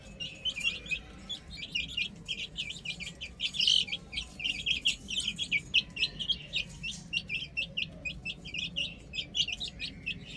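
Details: Many baby chickens on a roof make a constant high chirping, bright bent peeps overlapping with no real break.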